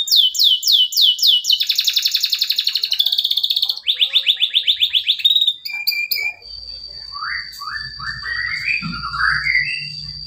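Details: Male canary song used to coax quiet or young canaries into singing: rapid rolling trills of repeated upswept notes switch between phrase types for six seconds, then give way to slower, lower slurred whistles over a faint low hum.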